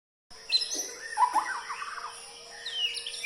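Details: White-rumped shama (murai) song: a burst of varied whistled and chattering notes, some rising sharply, others falling, with a fluttering run in the middle. A steady high whine runs underneath throughout.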